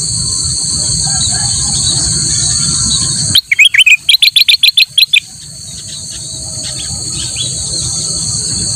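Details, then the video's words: Kutilang emas singing loudly for use as a master song to teach other birds: a rapid burst of about a dozen sharp, bright chirps over two seconds, then a continuous shrill insect drone returns. "kutilang emas gacor buat masteran burung lain"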